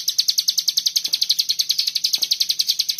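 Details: Common iora singing the tight 'bren rapet' trill style meant for tutoring birds: a continuous quick rattle of bright, high, clipped notes, about nine per second, with a couple of soft low knocks in the background.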